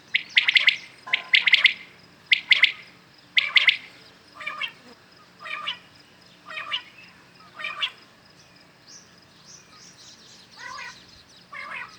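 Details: Common quails calling in the morning, quick liquid three-note 'wet-my-lips' phrases repeated about once a second, loud at first then growing fainter.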